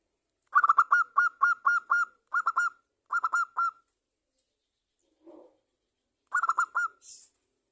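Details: Local zebra dove, a prolific champion singer, used as a lure to get other zebra doves singing: rapid bursts of short, hollow, evenly repeated cooing notes in phrases of three to six, with brief pauses between phrases.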